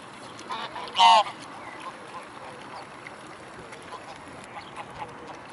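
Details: A flock of mute swans gathered at the Blaues Wunder on 25 May 2016, about 15:27; a single short, loud, harmonic honk stands out, with quieter nasal calls scattered over a hissing background.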